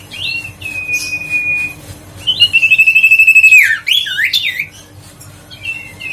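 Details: Lure song of a huyt co bird for stirring silent birds to sing: short whistles, then a long pulsing trilled whistle that ends in a tumbling burst of sharp notes and a soft closing whistle.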